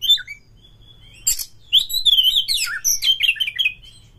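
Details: Oriental magpie-robin (kacer) singing as a pancingan; brief whistles, a harsh rasp, then a dense, varied warbling of slurred whistles and chatter lasting nearly three seconds.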